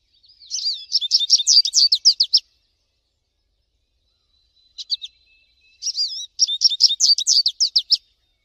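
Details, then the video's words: American goldfinch singing freely in the wild: two bursts of rapid, high twittering notes about two seconds each, separated by a pause holding a few short chips, with no other sounds. "PITASSILGO AMERICANO CANTANDO MUITO NA NATUREZA - CANTO DO PINTASSILGO AMERICANO"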